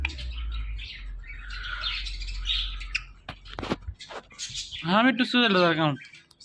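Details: Pet parrot chattering with soft hissy noise and clicks, then a loud, drawn-out, speech-like call with stacked wavering tones near the end over a low hum.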